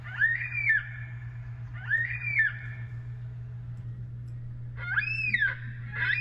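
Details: Yellow-tailed black cockatoo flock flying over Canberra, often heard in the afternoon, gives its haunting, drawn-out, wailing two-part calls about every two seconds over a steady low hum.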